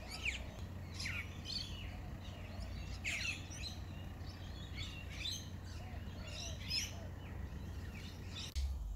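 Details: Rainbow lorikeets in a bottlebrush tree give harsh, shrill screeches in quick irregular bursts, several calls overlapping, over a steady low rumble of background noise.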